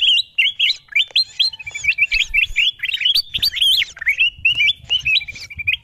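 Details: Bulbul lure recording for drawing wild kutilang emas: rapid chain of bright, hooked whistled chirps, some sliding downward, over a faint low rumble.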